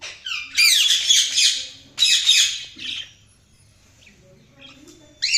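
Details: Budgies give loud, scratchy chattering chirps and squawks in two dense bursts, followed by a quieter gap with a few soft notes and a final sharp chirp.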